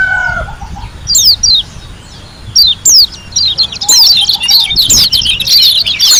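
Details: Lombok white-eye singing gacor with tembakan notes: spaced sharp whistled sweeps give way to a rapid, dense high twitter in the second half. A drawn-out harmonic call at the start sits in the background.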